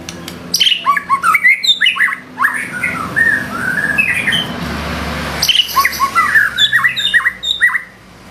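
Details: White-rumped shama delivering vigorous song with fill-in phrases: loud whistled notes that rise and slur in quick bursts. A noisy pause in the middle gives way to renewed sharp, sweeping whistles.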